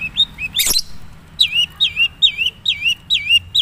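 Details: Madura-type long-tailed shrike singing its plain original song: wavering, looping whistled notes repeated about twice a second after one sharp click.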